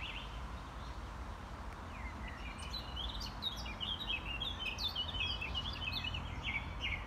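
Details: Song thrush (Turdus philomelos) singing in a Paris square, Butte du Chapeau Rouge: bright, varied phrases from about two seconds in, in duet with a blackcap's warbling; steady low wind rumble underneath.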